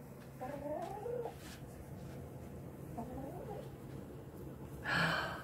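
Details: A female quail, apparently in pain, gives two rough, wavering, mid-pitched calls about two seconds apart while laying her second egg, followed by a sudden loud burst of noise.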